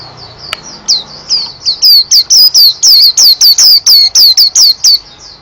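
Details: White-eye song: loud, sharp downslurred whistled notes repeated rapidly, over two per second, high and piercing, with softer twittering at the start.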